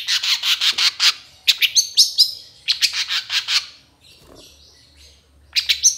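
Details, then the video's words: Long-tailed Shrike of the trotol type in a training recording for other shrikes: quick series of about eight harsh, rattling chirps, then more rapid scratchy bursts with squeaky notes, a pause, and another burst. "MASTERAN CENDET TROTOL AMPUH CEPAT GACOR, PANCINGAN CENDET GACOR FULL ISIAN"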